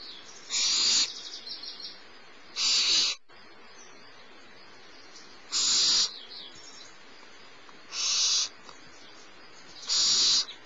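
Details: Barn owlet being fed by its mother at a nest at Starr Ranch in the morning, 6 March 2011, giving harsh hissing screeches of about half a second, five in ten seconds at uneven gaps, with faint ticking between.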